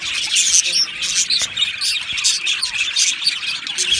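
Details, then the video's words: Two male budgies give brisk, high chirps and a few squawks in a constant, busy chatter, with some short down-slurred whistles audible. "2 Male Budgies Birds Sounds | Australian Budgies Birds chirping sounds"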